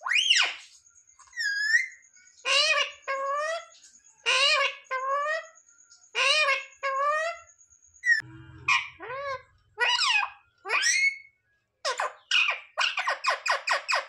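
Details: Talking pet parrot imitating "mummy papa" in a small room; repeated paired and tripled hoarse, word-like syllables with a faint steady high tone behind, later a rapid series of short clipped notes.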